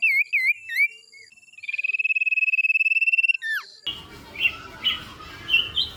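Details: Bird song used as masteran training material, in the 'tembakan jitu' style: whistled rising and falling notes, then a long steady buzzy rattle, a falling slur, and an abrupt cut to a noisier passage with scattered high chirps.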